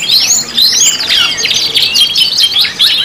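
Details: Canary song used as a lure recording for training other canaries: bright, high warbled phrases with quick rising and falling sweeps and chirps, continuous and loud, no other sounds.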